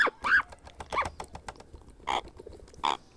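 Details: Hand-fed baby grey parrot calls in short raspy bursts, five or six quick cries over about three seconds, with faint handling noise underneath.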